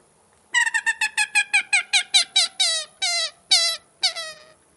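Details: Common gallinule (Gallinula galeata), call.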